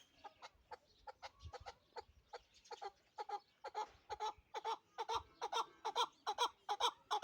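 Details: Pamir chukar partridge, a hunting bird kept in Dushanbe city: a fast run of harsh, clucking chuk notes, about two per second, becoming louder and steadier toward the end over a quiet background.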